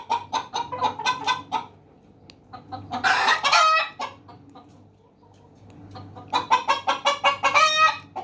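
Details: Chickens, hens and roosters together: rapid series of sharp clucks, a loud harsh drawn-out squawk in the middle, then another fast run of clucks building to a cackle, with a steady low hum beneath.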